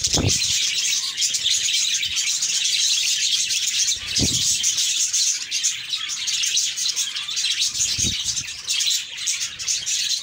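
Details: Happy pet budgerigars chirping together in a dense, continuous high warble of squeaky twitters and short whistles, with a few soft low thumps near the start, middle and end.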